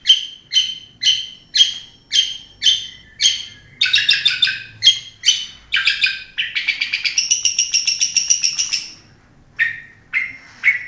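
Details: Long-tailed shrike, a national champion songbird in competitions, sings varied phrases: spaced sharp repeated notes, a dense buzzy burst, a fast rattling trill holding a high steady tone, then a few scattered calls.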